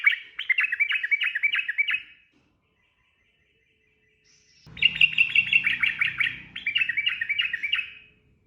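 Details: Sooty-headed bulbul (trucukan) in 'ropel' style song, used as training audio for cage birds. Two bursts of fast, bubbly repeated notes are split by a two-second silence, with a faint hum behind the second burst.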